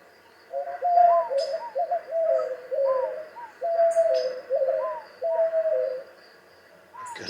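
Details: A White-winged Dove in Mississippi, a species advancing its range, sings a complex rhythmic phrase of low hooting coos, likened to "who cooks for you", each note slightly up-inflected, over faint hiss.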